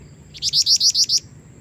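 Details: Female sooty-headed bulbul calling to lure a male: a quick run of six bright, high chirping notes evenly spaced over under a second, each slightly rising, over a quiet low background hum.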